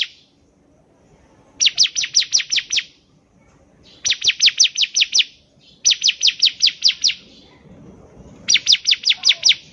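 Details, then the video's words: Bar-winged prinia (ciblek) song meant to trigger untrained birds to sing: four regular bursts of six to seven rapid, shrill chirps each, spaced about two seconds apart, background otherwise near silent. "PANCINGAN CIBLEK GACOR || CIBLEK BAHAN PASTI CEPAT BUNYI"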